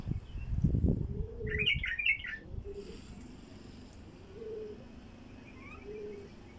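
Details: A wild bulbul sings to lure other wild bulbuls: a quick, chattering, liquid phrase of jumbled notes lasting under a second, then a faint rising whistle. Loud low thumping comes first, and soft dove coos follow.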